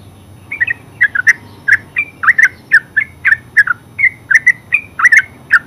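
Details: Yellow-vented bulbul, known locally as terucuk, singing in the ngeropel style: a fast run of short, slurred chirping notes around the same mid pitch, about three per second, each with a sharp click, over a faint low hum.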